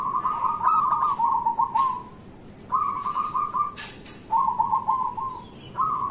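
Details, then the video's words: Local zebra dove singing vigorously, intended to encourage quiet doves in the morning: smooth rolling trills of fast soft notes, each phrase about a second long, with brief breaks. "Perkutut lokal gacor pancingan untuk pagi hari"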